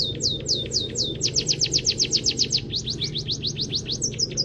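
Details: Scaly-breasted munia delivering a canary-filled master song: slow descending whistles speeding into a rapid, rhythmic rattle of bright falling notes, then lighter chirps near the end, with a persistent low hum underneath.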